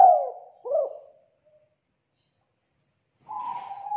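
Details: Young wild-caught spotted dove giving its loud, full-toned 'kuk 2' song: a sliding coo and a short second note, a long silence, then a steady drawn-out hum.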